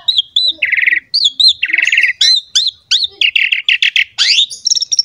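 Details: Lure song of an Asian pied starling in 'gacor mompa' style: high whistled slurs alternate with grating buzzy trills, ending in a quick string of rasping notes and a rising sweep.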